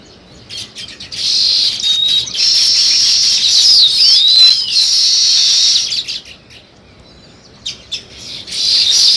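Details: Sparrows, with weaver birds also named, give a dense chorus of high overlapping chirps and twitters from many birds. It swells loud from about one to six seconds, drops to a few scattered notes, then builds again at the end.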